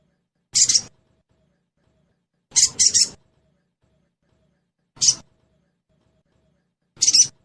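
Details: Sogon trotol sound used as a lure to make the bird sing quickly: four short, harsh, very high chirping bursts, some doubled, spaced about two seconds apart with silence between.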